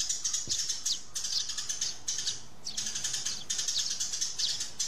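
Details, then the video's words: Fighting sparrows give harsh high chirps in bursts, some sharp downward-sweeping notes, with short gaps between the flurries. "Tiếng Chim Sẻ Gọi Về Và Nhảy - Tiếng Sẻ Cắn Nhau"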